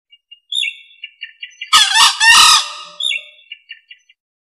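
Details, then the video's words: Soft high chirps and clicks come before and after a male green junglefowl's loud two-part crow, which is a rough, hoarse burst followed by a longer grating note. It is a recording used to lure birds. "SUARA PIKAT AYAM HUTAN JANTAN HIJAU"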